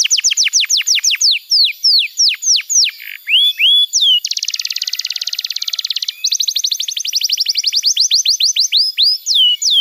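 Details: Canary tutor song meant to get silent young canaries singing: a series of sharp downward-slurred whistles, then a dense buzzing trill, then a quick run of repeated notes ending in swooping whistles.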